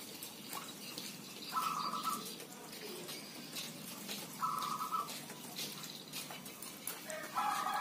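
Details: Zebra doves in a busy chorus. Three brief bursts of rapid trilled cooing come roughly every three seconds against a noisy, hissy background.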